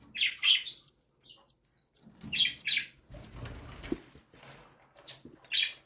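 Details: Cockatiel chicks, one and seven days old, beg during feeding by their mother: clusters of short scratchy rasps, a noisy rustling stretch in the middle, then one more rasping burst at the end.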